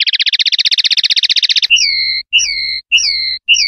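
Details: Clean-style common linnet song ('pardillo limpio') from a 2025/2026 silvestrismo CD: a rapid rattling trill of about twenty tiny notes, then several drawn-out whistled notes with rising starts, over a faint low hum.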